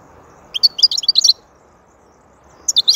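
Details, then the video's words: Goldfinch song in a quiet setting: a quick jangling series of high, bright twittered notes, a silent gap of over a second, then a short fresh burst. "Huzur verici saka sesi mūkemel"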